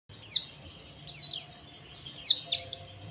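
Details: Oriental white-eye (pleci), therapy recording meant to get white-eyes singing in the ngeriwik style: bursts of very high, thin twittering notes with quick rising and falling slurs, three clusters about a second apart, with faint low background hum.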